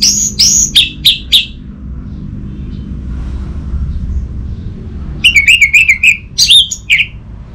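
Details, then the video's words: Orange-headed thrush, caged bird in Bali, giving a few loud clipped notes, a pause with low rumble, then a rapid wavering trill and sharp whistled notes. "Burung ANIS MERAH Macetan Terpancing Gacor Didengarkan Kicauan Ini"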